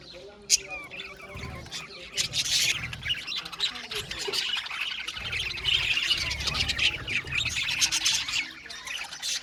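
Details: Budgerigars in an aviary colony chirping together: dense, overlapping high chirps and warbles in a continuous chatter, with occasional louder squawks and low background rumble.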